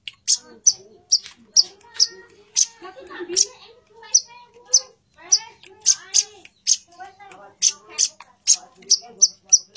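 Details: Female plain-throated sunbird calling to attract the male: steady, insistent run of short, sharp, very high chips, roughly two per second, over faint human chatter.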